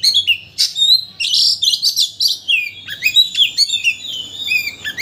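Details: White-rumped shama singing to excite another shama into unloading its repertoire; loud rich whistles mixed with scratchy notes, then sustained high tones and clipped chips toward the end.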